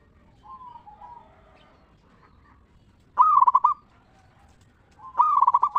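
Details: Local zebra dove singing the ngeristal-style lure song used to make other zebra doves answer: faint wavering coos, then two loud bursts of rapid pulsed cooing about two seconds apart.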